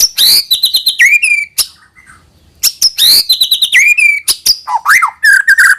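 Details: Song of a white-rumped shama, played to coax young birds into singing diligently; bursts of rapid high chips run into clear falling whistles, with a short quiet break between phrases.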